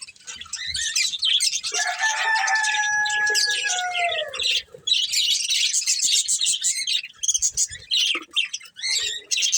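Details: Budgerigar breeding pair chirping during a meal: high warbled chatter, with long smooth falling whistle-like tones in the first half, then broken, scratchy twittering bursts separated by short gaps.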